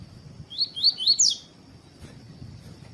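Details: Double-collared seedeater in tui-tui style, meant to warm up other birds, giving one phrase of four quick upslurred whistles ending in a higher twisted note over faint background hum.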